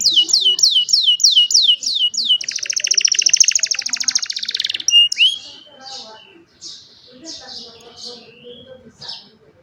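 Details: Singing young canary, cellphone-recorded as a tutor for other canaries: quick repeated swooping whistles, then a dense buzzing trill, followed by softer scattered chirps and short notes.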